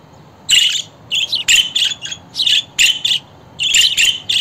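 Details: Pet budgerigar chatter: irregular bursts of scratchy warbles, clicks and chirps, each lasting under a second, separated by short silences, with no other sounds present.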